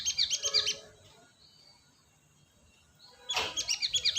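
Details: Cinereous tit lure recording from Indonesia: two short bursts of dense, high chirping notes, each under a second long, separated by a quiet gap of about two and a half seconds.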